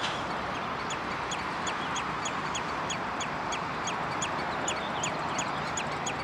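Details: Common redshank (Tringa totanus) at De Wollebrand water storage, Naaldwijk, Westland, Netherlands, on 11 June 2013, giving sharp, high piping notes about three times a second in an unbroken series over a steady roar of wind or surf.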